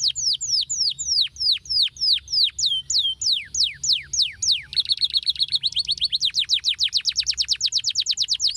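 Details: Male canary song used as therapy for canaries that have gone quiet. Slow, steeply falling whistles come about twice a second, then switch abruptly to a fast, dense, buzzy trill that runs to the end.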